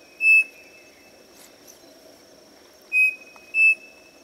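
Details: Striped cuckoo (saci) at a farm guesthouse in Monte Alegre do Sul, São Paulo, giving clear, pure whistles, a lone note then a two-note phrase with the second slightly higher, over a steady high insect drone.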